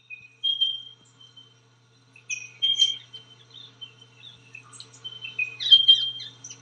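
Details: Spotted pardalote giving clear, high whistled notes, some held briefly, mixed with other quick high chirps and twitters near the end against a steady low hum.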